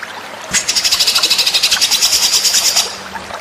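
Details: White-rumped shama song used as a training recording for other birds: a dense, buzzy high trill of rapid repeated pulses lasting over two seconds, after a quiet start with faint background hiss.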